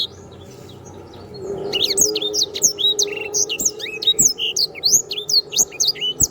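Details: Canary singing actively in a tutoring recording: a fast, varied string of high whistled and chirped notes, many sharply rising or falling, starting after a quiet opening second and running without pause, over a faint low hum.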